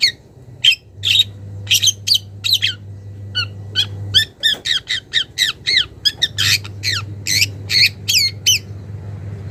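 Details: Young wild long-tailed shrike calling to a rival as it starts its mimicked repertoire: dense, rapid series of harsh rasping notes and downslurred squeaks, growing busier toward the end, with an intermittent low hum.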